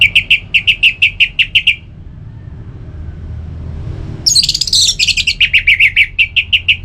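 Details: {'caption': 'Rapid even series of whistled notes from an orange-headed thrush, a brief lull, then a dense burst of jumbled high notes before the repeated whistles resume. Used to make kept birds sing.'}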